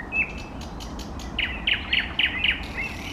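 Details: Singing eastern nightingale: one thin whistle, then five loud, rapid, harsh repeated notes in quick rhythm, over low steady background noise.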